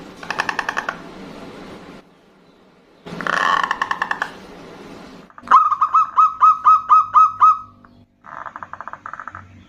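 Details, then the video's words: Zebra doves, a female calling a male, answer each other. A clear run of quick, mellow cooing notes is preceded by two noisy bursts and followed by a buzzier rattling series. "Perkutut betina memanggil jantan bersahutan dengan kutut lokal gacor jantan suara besar"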